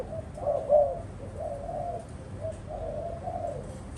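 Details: Spotted dove cooing, a series of low soft coos spread across four seconds, some drawn out and some short, over a steady low background hum.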